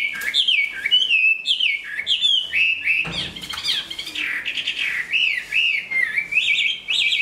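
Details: Large-bodied Chinese hwamei, a strong singer and good fighter, growing its new plumage; a loud, continuous run of varied whistled phrases that rise and fall sharply, with quick slurred notes and brief rough bursts.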